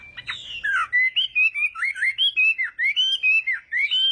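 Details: Chinese hwamei trained for singing contests, practising its morning song: a rapid chain of short, clear whistled notes, many slurring up or down, steady and loud throughout.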